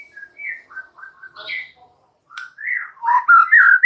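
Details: Extra chatty White-rumped shama singing mellow, lower whistled phrases with varied short notes and slurs, a pause, then a louder run of rich warbling whistles.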